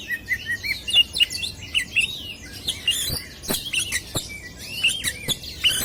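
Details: Oriental magpie-robin (kacer), a contest bird with a sweet chirping voice, pouring out dense jumbled high whistles and twittered notes, broken by several hard clicking knocks.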